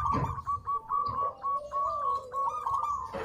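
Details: Local zebra dove singing on a training master: steady level cooing notes with short wavering trills, and a softer lower gliding tone running beneath, in a close, reverberant recording.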